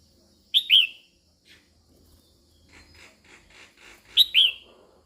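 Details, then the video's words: Female Red-whiskered bulbul calling to excite males. It gives a clear two-note whistle with downward-trailing tails, then a soft run of quieter notes, and repeats the bright paired whistle about four seconds later. "Chào Mào Mái Kích Trống Căng Lửa"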